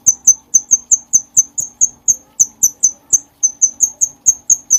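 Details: Bulbul in energetic song, used as a training recording for other songbirds: a steady run of sharp, very high chirps, each a brief downward-sliding note, repeated about four or five times a second with a faint background hum.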